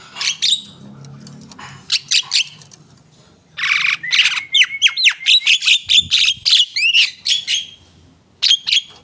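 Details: Javan myna pouring out an energetic song: scattered harsh chirps, then a loud hissing burst leading into a fast, varied chatter of squeaky, rising whistles and scratchy notes.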